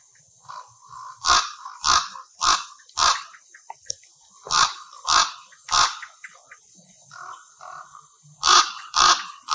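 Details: Common ravens at a communal roost of over 200 birds, amplified recording: a loud series of harsh, hoarse croaks, about ten in under ten seconds, with softer throaty calls between them.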